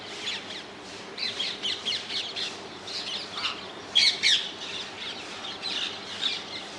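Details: Rose-ringed parakeets in the wild in the Netherlands; a flock gives rapid harsh screeching squawks, many overlapping, with a louder burst of shrill screeches near the middle.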